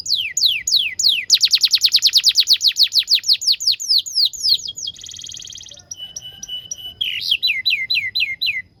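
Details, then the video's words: Canary song meant as a tutor for young birds learning to sing: rapid series of steep falling whistled notes, a brief buzzy roll, then clipped repeated tones and short descending chirps. "PANCINGAN KENARI GACOR DURASI PANJANG UNTUK MASTERAN KENARI PAUD BELAJAR BUNYI DAN GACOR"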